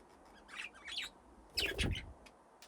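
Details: Aviary budgerigars playing near nesting boxes, descended from two original pairs: two short clusters of high warbling chirps, the second louder and joined by dull thumping knocks.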